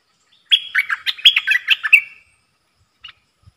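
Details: Caged ดอกแตง bulbul in a song duel with wild birds, 3 October 2021: one long rapid phrase of about ten bubbling, whistled notes lasting under two seconds, followed by a single quiet note.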